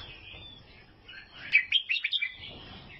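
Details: Albino sooty-headed bulbul, Vietnam, starts with a soft thin whistle, then breaks into a string of about six loud, sharp chirps.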